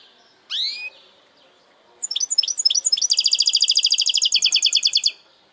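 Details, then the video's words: Goldfinch hybrid giving a segmented song: a bright rising upslurred call, a pause, a few sharp separated notes, then a fast, even, buzzy trill of rapidly repeated high notes lasting about two seconds. "Saka Melezi Parçalı ötüm"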